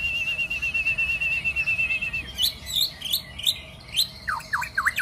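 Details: White-rumped shama in its pre-singing ritual: a long, thin, level whistle followed by rapid high chirps and short down-slurred whistled notes, over a faint low background rumble.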